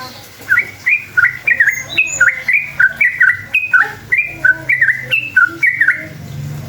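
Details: Sooty-headed bulbul lure song, long rapid 'ropel' style, meant to make other bulbuls reply in agitation: steady chain of liquid two-part whistles, roughly two per second, loud and clear.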